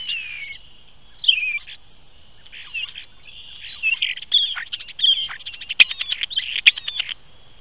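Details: Unidentified bird perched on top of a trail camera, where it sits every morning for about a week, giving high, scratchy chirps and slurred down-slurred notes, sparse at first, then a denser run of rapid twittering calls.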